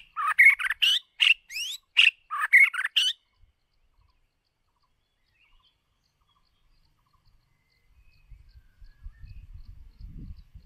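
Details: White-rumped shama, a lure bird used for voice training, giving a quick burst of loud, varied notes with rising sweeps and sharp chips for about three seconds, then silence with faint low rumbling near the end.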